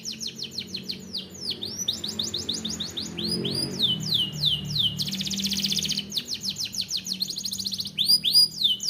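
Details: Energetic canary song: strings of rapid descending whistled notes, a rolling buzzy trill around the middle, then more quick repeated sweeps. Steady and loud throughout, over a faint low background tone.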